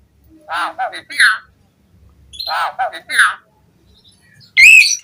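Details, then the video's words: Asian pied starling (jalak suren) sound played to lure captive starlings into singing: harsh, squawking chattered phrases in two bursts, then a sharp high screech at the end. "Suara Kicau Jalak Suren Memanggil Burung Jalak Agar Cpt Gacor"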